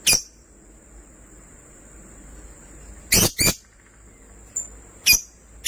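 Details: Pet lovebirds, one sky blue opaline and one green opaline, give short, piercing, high chirps at scattered moments, including a doubled chirp, with quiet stretches between.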